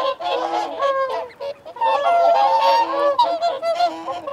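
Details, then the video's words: Whooper swans give feeding and territorial calls: loud, brassy, trumpeting honks, several birds overlapping in a rapid chorus of about four calls a second, rising and falling in pitch. "Whooper Swan. Feeding Calls & Territorial Calls"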